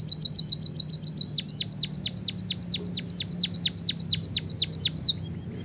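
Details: White-headed munia in Java, singing a canary-style fill (isian kenari) used for training other birds to sing. A fast series of bright downward-sweeping whistled notes repeats about twice a second, after a few high clipped chirps. Steady low hum underneath.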